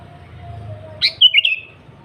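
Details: Single lively phrase from a sooty-headed bulbul in active song, meant to draw rivals: a quick upward flick followed by a bubbly, warbled whistle, with a low hum underneath.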